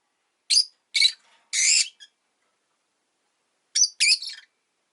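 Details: Rosy-faced lovebird, a pet, giving three harsh, high chirps in quick succession, one slightly drawn out, followed after a gap by a raspy double call.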